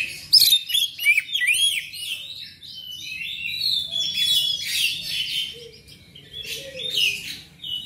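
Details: Magpie-robin singing to encourage pet birds to sing louder: a few loud, looping whistled notes at the start, then a softer, busy stream of chattering phrases.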